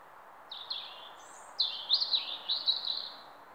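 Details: Songbird singing at day break, delivering quick downslurred whistles followed by a brief high note, then a louder run of clear, warbled whistled phrases repeated in close succession; faint even hiss in the background.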